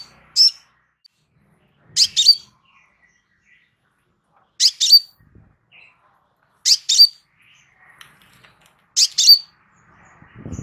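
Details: Crimson sunbird, a calm recording meant as master audio for training caged birds: short, piercing high chirps given in quick doubled pairs, repeated every two to two and a half seconds over a quiet background, with a faint low thump at the end.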